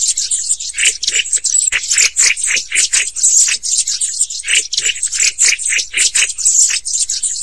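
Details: Several black-throated bushtits (Aegithalos concinnus) give a steady stream of very high, thin, dry twittering notes and short trills, calling over one another almost without pause.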